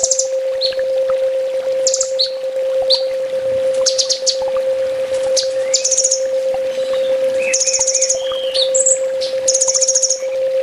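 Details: Master song of a sunbird for training: scattered high chirps and short bursts, varied sliding notes, building to fast pulsed trills near the end, steady low hum throughout.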